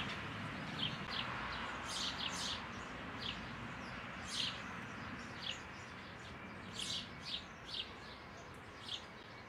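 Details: Eurasian tree sparrow, 12 May, at a roomy hole it has found for nesting, giving short, bright chirps in loose, irregular bursts, a couple each second, over a steady low rumble, perhaps distant traffic.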